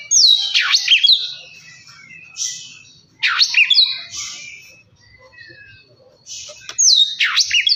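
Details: Oriental magpie-robin song played to provoke other birds into singing: loud bursts of sharp, sweeping whistled and harsh notes in three phrases, separated by short quieter gaps with faint soft chatter.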